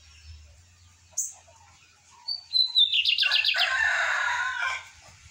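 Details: A captive lined seedeater's song around 8:30 in the morning: a high sharp note, a pure whistle, then a fast rhythmic trill running straight into a sustained rough, buzzy phrase.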